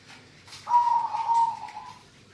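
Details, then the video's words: Zebra dove of local stock uttering one loud, sustained, level note lasting over a second, trailing off softly, with a faint background hiss. "perkutut lokal suara gacorr"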